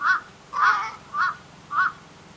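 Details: Wild Little Egret calling during a fight with a deep, thick, dinosaur-like voice: four rasping croaks spaced about half a second apart, with the second one longer and rougher.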